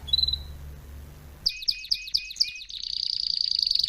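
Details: Canary singing for the schooling of young canaries: a faint whistle over low hum, then a row of crisp chirps and a long, fast, buzzy trill.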